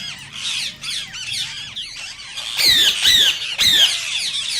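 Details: Rose-ringed parakeet, green Indian type, calling to stir other parakeets into song and mating: rough chatter building into three loud, piercing, slurred screeches about half a second apart.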